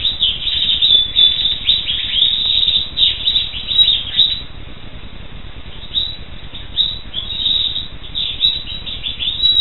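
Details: Black siskin song: fast, jumbled high twittering in bursts of a second or two, separated by brief quieter gaps.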